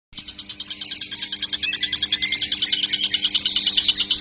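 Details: Young kingfisher, said to be still a baby yet calling vigorously, used as a lure recording: harsh, high chattering pulses about three per second that grow louder over the first two seconds and then hold steady, with a faint whistle near the middle.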